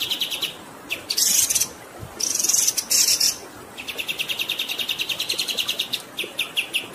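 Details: Kapas tembak (Grey-headed Canary-flycatcher) rolling song over running water: a few high notes, then loud hissing, sizzling bursts, then a long, fast run of even, high chipping notes.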